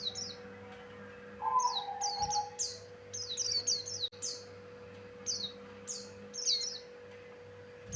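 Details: Javan grey-throated white-eye song meant for luring birds, rapid high downward-sweeping whistles in short groups, an early lower drawn-out tone, and a sharp click midway over a continuous hum.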